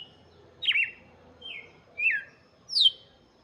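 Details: Red-cowled cardinal song aimed at chicks: four short whistled phrases, some falling, the last rising high before dropping, delivered in quick succession.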